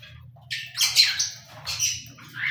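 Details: Cockatiel giving harsh, screechy squawks: a loud burst near the half-second mark, a stronger peak around one second, then a few shorter scratchy calls; a faint low hum runs underneath throughout.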